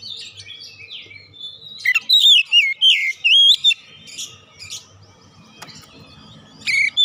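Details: Oriental magpie-robin song used to prompt birds to sing: scratchy twitters leading into five loud wavering whistles, then softer chips and one last short whistle.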